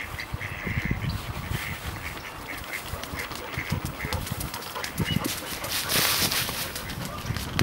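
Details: Ducks fighting on ice, giving rough quacking calls amid constant broadband noise and scuffling, with short raspy bursts scattered through the recording.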